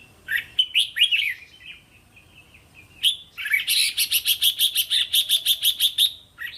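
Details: Red-whiskered bulbul song used to train young cage birds in three-to-five-syllable linked phrases; opening warbled notes, then a fast run of about fifteen evenly repeated sharp chirps in a steady trill.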